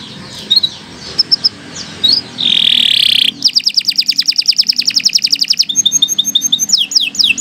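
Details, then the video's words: Canary singing long and continuously, recorded as a tutor for young birds. It starts with scattered high chirps and a sustained buzzy note, then gives fast rapid-fire trills of bright high notes and sweeping whistled slides, over steady low background hiss. "Kicau Burung Kenari 101 II GACOR PANJANG"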